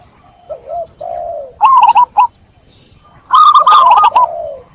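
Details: Local zebra dove in full song, with clear voice, prompting other birds to join in: soft low coos followed by bursts of quick, rolling staccato notes, with pauses between phrases.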